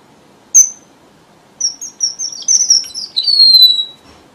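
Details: Red avadavat song for luring birds into traps: one sharp high chip, a pause, then a quick string of tiny high whistles that ends in a long, drawn-out, falling whistle.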